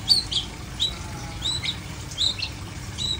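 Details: Uncovered long-tailed shrike, not flipping, giving spaced high whistled notes and short chirps roughly every half second, some slurred downward, against a quiet humming background.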